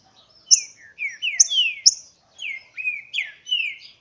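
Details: Green-winged saltator, two males facing off in a singing contest, recorded in August 2016: clear whistled phrases that slide downward, each opened by a sharp high note, given in quick runs with short pauses between them.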